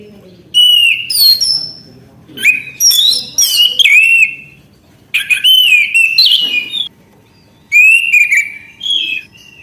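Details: Orange-headed thrush singing persistently without pausing: bursts of loud, clear whistled phrases with rising and falling slurs and quick chattering notes, separated by short silences of about a second.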